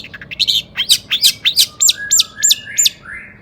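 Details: Long-tailed shrike in agitated, high-emotion song meant to provoke other shrikes into singing: buzzy chirps open, then a run of about eight sharp, high whistled notes that rise and fall, each roughly every third of a second.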